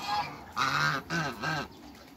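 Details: African geese, a pair kept in a backyard among other waterbirds, giving three loud, deep, nasal honks in quick succession, each lasting about a third of a second.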